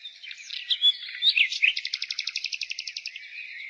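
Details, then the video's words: Spring song of a nightingale: varied warbled phrases and a slurred whistle give way to a fast, even series of repeated sharp notes, roughly a dozen in two seconds, over a high background of other birdsong. "Nightingale singing Spring relaxation The singing of the nightingale"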